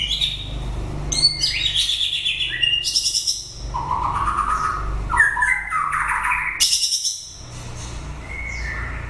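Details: Late-breeding-season song of a white-rumped shama: a varied medley of clear whistles, quick rising slurs and high fluty notes broken by short pauses, with low background hum.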